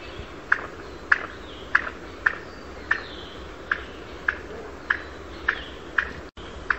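Mikado pheasant courtship calling: short, sharp clicking notes repeated about every half second, with faint thin whistles from other birds behind.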